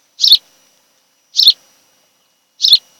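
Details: Osprey call from a nest shared by a pair on Kent Island, Maryland, afternoon of 26 July 2018: three harsh, high, slightly buzzy chirps evenly spaced just over a second apart.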